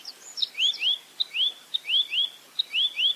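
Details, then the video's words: Velvet-fronted nuthatch singing in 'full roll tembak' style for songbird training, clear recording: repeated rising chirps in pairs, each pair introduced by a sharp high tick, about three sets in three seconds, light background noise. "Masteran Burung Rambatan Mandarin Jernih Full Roll Tembak"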